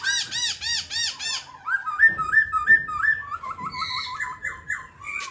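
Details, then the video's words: Caged silver-eared laughingthrush singing ôm cóng: a fast series of nasal, ringing notes gives way to rhythmic whistled phrases, repeated rising-falling slurs about three per second, then a thin high trill. "Khướu bạc má ôm cóng đẳng cấp"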